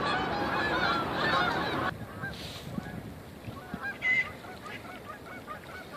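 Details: Canada Geese at a lake shoreline in a Canadian winter scene, with Mallard Ducks nearby; a loud honk near four seconds over a series of fainter repeated honks, after an opening stretch of washing waves and bumping ice.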